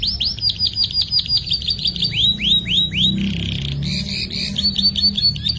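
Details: Canary in full, lively song, a long rolling performance used as a master recording to train young canaries: quick series of sharp downward-sweeping whistles, then a buzzy burst and fast bright trills, continuous and loud.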